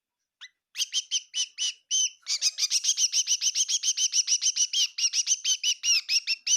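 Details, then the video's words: A bird calls indoors in a kitchen in Tseminyu, Kohima. It starts with a few spaced, high chirps, then speeds into a fast, insistent string of bright, ringing notes that continues to the end. "Amazing bird in my kitchen chirping bird sounds of bird"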